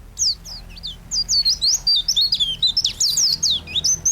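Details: Continuous, lively white-eye twittering, used as a master for songbird training: high, slurred notes that rise and fall in a rapid, unbroken, scratchy warble throughout.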